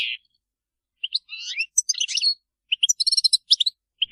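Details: European goldfinches chirping as a group, with scattered, high twittering notes and short buzzy fragments. A brief, fast cluster of chips falls in the middle, and isolated single calls come between them.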